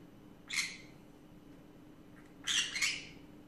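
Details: Afternoon chatter from a small pet green-cheeked conure, one rasping squawk followed two seconds later by a doubled harsh burst, over a quiet room hum.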